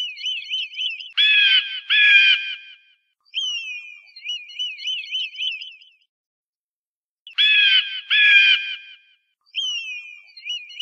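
An eagle gives high, piping, wavering whistles broken by harsh, rasping chatter bursts. The same sequence comes around twice in about eleven seconds, with no other sounds.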